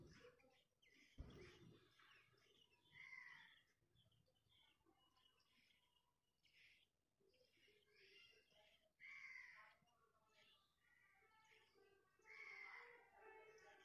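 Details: Tailorbird chicks in a nest in a hibiscus plant beg while being fed, in short bursts of high, thin chittering every few seconds, with a faint thump and low background hiss between bursts.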